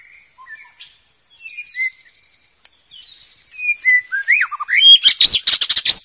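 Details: White-rumped shama singing in the wild, used for training young birds: soft varied whistles and slurred notes over a steady high tone, building into a loud rapid series of harsh, chattering rising phrases.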